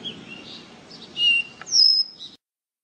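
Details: Caboclinho singing the song style called canto do ré mi: a short run of clear, high whistled notes, several held briefly, ending with a bright, slightly falling whistle, over a soft low background hiss.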